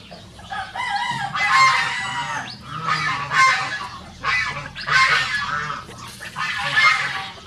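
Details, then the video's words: Two Rosecomb bantam roosters, free-ranging show birds, trade hoarse crows in a duet, four strained, noisy bursts roughly every two seconds with brief harmonic whistling tones inside. "The Smallest Breed of Rooster Crowing Duet"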